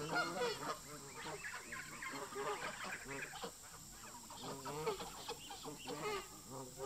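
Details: Flock of local park geese in conflict with migrating newcomers, a fight breaking out: continuous clamour of overlapping harsh honks from many birds, loud bursts throughout, constant hum in the background.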